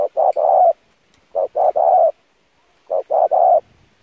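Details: Spotted dove cooing as a training lure for decoy birds: three clear phrases, each two quick low hoots followed by a drawn-out hollow coo, spaced about every one and a half seconds, no other sounds.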